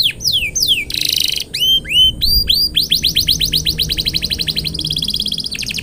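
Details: Canary in full, energetic song, meant to stimulate other canaries to sing: sweeping downslurred whistles, a buzzy burst, upswept notes, then long rapid trills of repeated chips.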